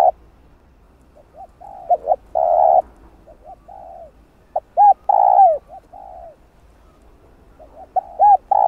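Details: Spotted dove, cooing used to lure and provoke wild doves for trapping. Low mellow coos come in irregular phrases of short arched notes and longer falling drawn notes, with soft pauses and faint background hum.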